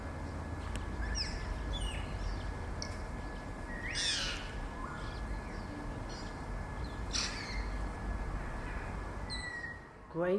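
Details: Grey parrots (Psittacus erithacus) give a few harsh, rasping screeches and short clear whistles spaced a few seconds apart, over a steady low rumble of city noise.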